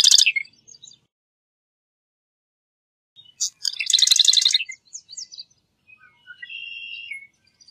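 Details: Marsh wren song: a sharp opening burst, a pause, then ticking notes leading into a rapid buzzy rattle, followed by a few thin whistled notes.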